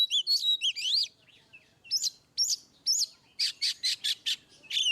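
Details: Oriental magpie-robin singing in the ngeplong style, a tutoring recording meant to prompt birds that rarely sing: sweet rising and falling whistles, then a run of about seven short buzzy bursts, and a final slurred whistle.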